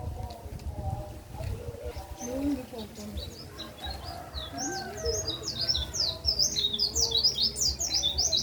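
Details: High, quick twittering warble of a white-eye, kept as a tutor song for songbirds, rising in density over the last few seconds, accompanied by lower, softer chirping notes and a background hum.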